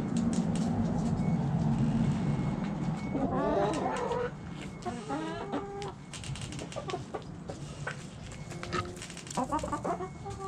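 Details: Backyard chickens clucking over a loud low hum, rapid bursts of harmonic clucks repeating several times a second in the middle and end.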